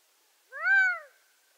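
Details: Gambel's quail from western North America giving a single plaintive, drawn-out note that rises and then falls over about half a second. The note is clear with strong overtones against a quiet, clean background.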